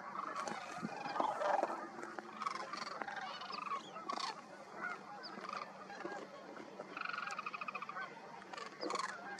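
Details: Large wintering flock of sandhill cranes flying in and landing among cranes on the ground at Pixley National Wildlife Area, Central Valley, California, December 19; dense overlapping rolling, rattling calls from many birds, with bursts of louder trumpeting throughout.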